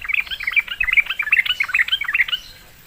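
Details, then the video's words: Sooty-headed bulbul answering a lure with a fast, continuous, bubbly chatter of tumbling notes that rise and fall for over two seconds, then fades out. "sekali di pancing trucukan malas bunyi pasti Nyaut gacor"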